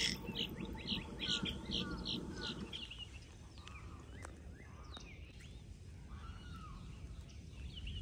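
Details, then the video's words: A snail kite calls, giving a series of dry, harsh, cackling notes, about two or three a second, over a low rumble; fainter chirps from other birds follow. "Snail Kite Beak & Call"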